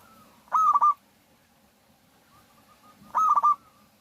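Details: Local zebra dove singing to lure other doves into song: two clear bursts of four or five rapid, ringing cooing notes, about two and a half seconds apart, over a quiet background.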